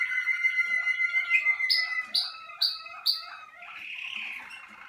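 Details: Malinois Waterslager canary warming up in its singing cabin. A steady whistled trill leads into four sharp, evenly spaced upward chirps, then a soft, hissing, bubbling close.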